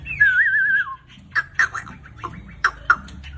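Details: Chinese hwamei singing: a wavering whistled phrase that slides down, followed by a series of short sharp notes repeated at uneven intervals.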